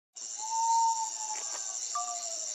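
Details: Common Potoo in Formosa, Argentina, gives a long, mournful whistled note that sags at the end, then lower sliding whistles, over a steady high insect hiss.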